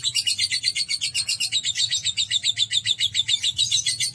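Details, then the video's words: Pet lovebird in a long ngekek chatter, rapid rhythmic high-pitched squeaky pulses about five per second, steady and unbroken across the whole stretch, with a low humming background. "Terapi Burung Lovebird Agar Ngekek Panjang"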